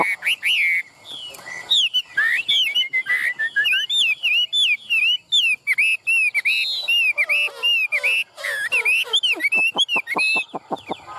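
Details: Chinese hwamei, caged in Vietnam, in loud continuous song: bright looping whistles and wavering phrases over several seconds, closing with a fast series of sharp, repeated clicking notes.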